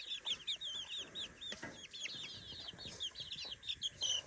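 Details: A flock of three-week-old chicks in a new playpen chirps busily; dense, high, looping peeps overlap continuously, punctuated by light taps and rustles.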